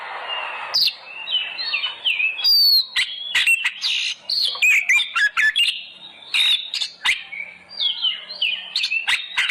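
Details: Kacer, the oriental magpie-robin, singing as a lure to prompt kept birds to sing loudly: dense run of whistles, harsh squeaky notes and quick trills, with a soft hiss at the start.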